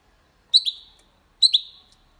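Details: Goldfinch × canary hybrid singing clean, faultless song in the Málaga copy style, used to stimulate females and teach young birds: two brief, bright, high twittering phrases, each a sharp double chirp with a fading tail, about a second apart, in silence.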